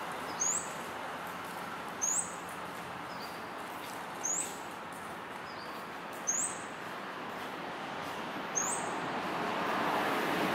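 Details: Male Scarlet-backed Flowerpecker calling from an open perch in Singapore: thin, very high upslurred shrieks, one roughly every two seconds, five in all, against soft outdoor background noise.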